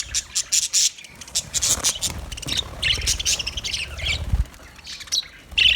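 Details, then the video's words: Budgerigars in an aviary giving dense, high chattering warbles and squawky chirps in quick bursts, with short pauses between clusters and a low rumble underneath. "budgie sounds to make them sing,budgie sounds australia,budgie aviary sound"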